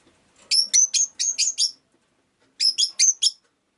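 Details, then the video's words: Rosy-faced lovebird chirping in two shrill, high-pitched bursts: six quick notes, a short pause, then four more, over an otherwise quiet background. "Lovebird Chirping Sounds"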